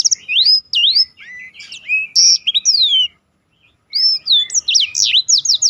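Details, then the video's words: Black-throated canary singing a master track for contest birds in roll style: fast looping whistles and slurred sweeps for three seconds, a brief silence, then another burst of rapid zigzag notes. "biar kecil suaranya mahal roll istimewah || masteran jos untuk burung lomba"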